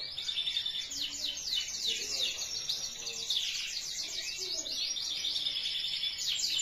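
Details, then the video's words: Canary song for training other canaries; dense overlapping rapid sweeping notes in a continuous high chatter, with soft low background noise. "Gacorrr Cuit Cuirr Roll || Kenari Bahan Auto Ikutan Bunyi."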